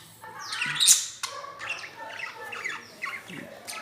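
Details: Several pet budgerigars, kept in purple, cream and yellow pairs, give harsh squawks and rapid chattering warbles, high and scratchy, around feeding.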